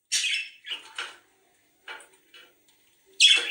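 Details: Budgerigar sounds played to encourage mating: short scratchy chirps and squawks in separate bursts, with quiet gaps between them, ending on a loud harsh squawk.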